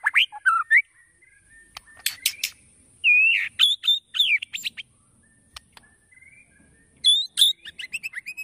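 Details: White-rumped shama song played to provoke other birds to sing: loud whistled phrases and sharp chips separated by short silences, some notes sliding upward, with a thin constant high tone behind.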